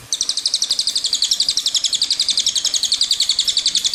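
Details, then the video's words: Cililin rolling song beginning abruptly, a sustained rapid sequence of shrill high notes at an even rhythm, about four per second, continuing to the end. "Suara Burung Cililin Gacor"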